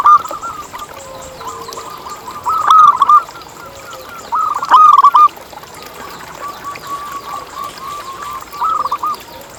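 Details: Zebra dove, a lively local singer used as a lure for other zebra doves: brief loud bursts of clipped coos between softer, distant cooing phrases.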